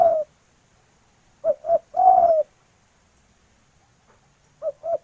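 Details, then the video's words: Calling female spotted dove seeking the male: a long low coo ending, then two short coos and a drawn-out falling coo, a pause, and two more short coos starting the next phrase. "Derkuku Betina Memanggil Jantan"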